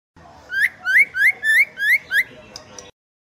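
A female white-rumped shama gives six clear, rising whistles about three times a second, followed by a couple of soft clicks.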